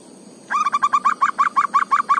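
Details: Zebra dove in the forest starting its song after half a second of quiet: a quick run of about twelve short, slightly rising cooing notes at a steady pace, clear and close.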